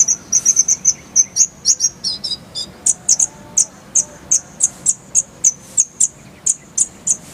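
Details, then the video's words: High clear chips from a purple-throated sunbird (kolibri ninja), first quick and tumbling, then steady sharp notes repeated about three times a second; tutor recording with full fills and clear voice. "Masteran Kolibri ninja full isian, Roll tembakan Suara jernih Cocok untuk Semua burung kicau"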